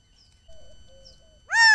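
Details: A male quail in the Arizona desert, recorded on a trail camera, gives one loud, nasal, arched call at the end, preceded by faint low whistles; owner suspects he may be trying to locate his family. Quiet background.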